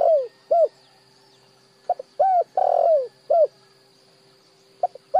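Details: Spotted dove call for decoy-bird training. Soft clipped notes lead into falling coos, with a long burry coo at the centre, then a new phrase starts. A constant tonal hum runs throughout.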